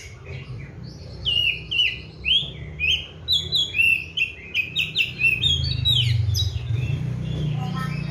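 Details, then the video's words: Oriental magpie-robin, a caged bird in full song. It is fed seven crickets and bathed each morning and evening. Rich whistled phrases with many rapid chirps and slurred notes pour out almost without a break over a steady low rumble. "KACER GACOR"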